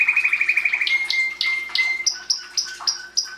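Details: Canary song made of a quick rattling trill, then spaced bright chirps, followed by a run of high whistled notes repeated about three times a second, with a faint steady hum underneath.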